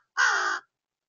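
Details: Crow delighted at peanuts being back, one of a pair: a single loud, harsh, flat caw lasting about half a second in a quiet setting.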